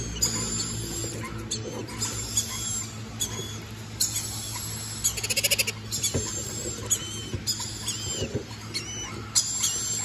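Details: Red-collared lorikeet screeching repeatedly in sharp, high-pitched bursts, including a quick rattling series of clicks midway, against a continuous low droning hum.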